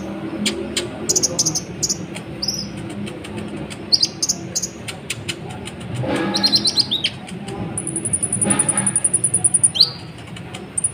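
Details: Brown-throated sunbird pouring out busy, varied song to excite other birds: scattered high squeaky chirps and short buzzy phrases, then a long, steady high trill and a final dropping note.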